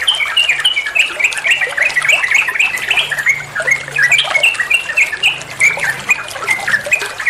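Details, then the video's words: Trucuk bulbul singing ropel-style song for training other songbirds: continuous, dense, fast bubbling phrases of short rising and falling notes at steady loudness, with a low faint hum underneath. "Masteran trucuan muantaaap, (burung trucuan anda pasti nyaut)"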